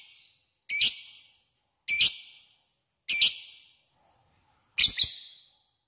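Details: Lovebird 'ngekek' sound, used as a lure to call a rival; four short, harsh chattering bursts, each followed by a thin ringing tone, about one second apart, with a longer gap before the last.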